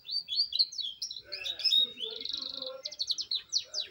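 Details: A young canary learning to roll delivers a continuous high warbling song. Sweeping whistled notes lead into a buzzy rapid trill, then clipped descending chirps.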